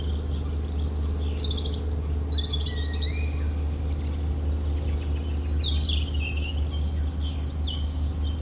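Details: Singing European robin delivers several separate phrases of sharp, sliding, high-pitched notes with short pauses between them, mixed with thin trills and a steady low hum underneath throughout.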